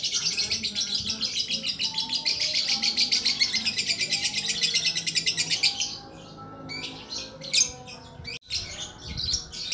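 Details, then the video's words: Long-running song of a bird known locally as lakbet: a fast, dense stream of high chirps repeating for about six seconds, then scattered sharper bursts after a short pause, with a faint steady tone underneath. "Burung ajaib durasi panjang lakbet"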